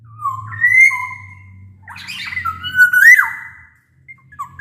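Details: Black-naped oriole in strong song, meant to trigger singing in quiet orioles: stepped whistles rising and holding, then a scratchy burst and a sliding fluted note, with a low droning hum beneath.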